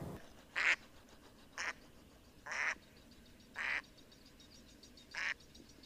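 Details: Duckling in the pond calling with five harsh, broad quacks spread over six seconds, some longer and raspier, gaps of roughly one second, with a quiet noisy backdrop.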